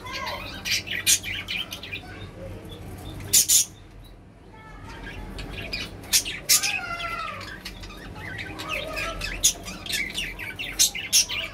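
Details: Caged budgerigars kept as pets. They give scratchy chirps, clicks and brief warbled phrases in irregular bursts, with a short quiet gap in the middle and a low hum throughout.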